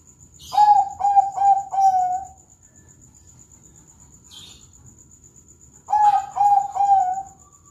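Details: Zebra dove singing in the morning, a Bangkok-type bird in the classic style: two bursts of mellow, hollow cooing notes, each a quick run of four even coos around two seconds long, separated by a quiet pause.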